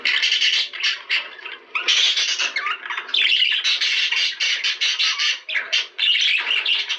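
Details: Continuous budgerigar warbling for mating stimulation, full of raspy squawks, chirps and chattering runs with only a couple of short pauses.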